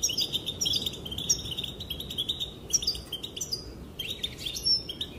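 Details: Female European goldfinch calling, said to make males dance: rapid bright twittering notes strung into bursts, some with slurred rising and falling inflections, over faint low background hiss.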